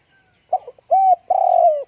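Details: Spotted dove kept at home on a windy day, giving a short sequence: two soft broken notes, then a smooth sustained coo and a longer, slightly falling coo at the end.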